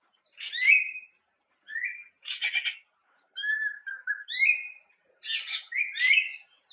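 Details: Song of a greater racket-tailed drongo, an insect-eating Asian bird that mimics other birds: clear slurred whistles alternating with rasping buzzy notes in short bursts separated by brief gaps.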